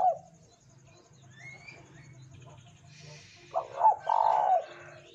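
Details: Spotted dove cooing, recorded as a lure to spur other doves to sing. After a low steady hum and faint chirps, one phrase comes near the end: two quick short coos, then a drawn-out throaty coo.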